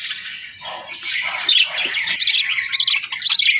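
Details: Afternoon budgie sounds: bright, high chirps and twittering notes in quick succession, with one short steady whistle near the middle.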